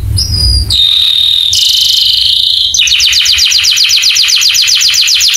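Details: Caged canary master recording used to spur other canaries into song: high buzzy rolling tours that shift pitch, followed by a long run of fast, evenly repeated chipping notes.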